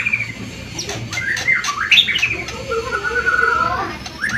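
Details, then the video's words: White-rumped shama singing to provoke other birds into song: sweeping upslurred whistles and a sustained wavering whistled note, with short harsh chirps between them and a low hum underneath. "SUARA GACORAN burung murai untuk pancingan"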